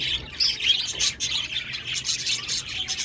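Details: Budgerigars on 1 November 2023 chatter loudly in quick pulsing bursts of high, squeaky chirps and warbles, with a brief dip in the middle.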